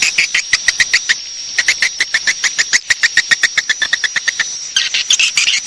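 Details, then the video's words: Swiftlet lure call for attracting swiftlets to roost: long run of quick, evenly paced high chirps, closing with a rougher twittering burst, backed by a continuous thin high tone. "Suara Walet Panggil Cepat Super Inap"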